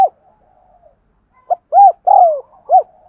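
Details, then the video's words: Thúc gù cooing of a spotted dove, played to train decoy birds and lure wild doves into calling: a soft murmur, then one phrase of four rounded coo notes, the third drawn out and sliding down. "Tiếng Chim Cu Gáy Thúc Gù Dùng Tập Mồi, Bổi Nghe Xiêng Gáy"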